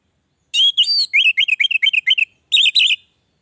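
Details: Orange-headed thrush singing, used to prompt caged birds that have stopped singing; sustained whistled opening, then a fast rhythmic string of short warbled notes and a brief closing phrase after a pause.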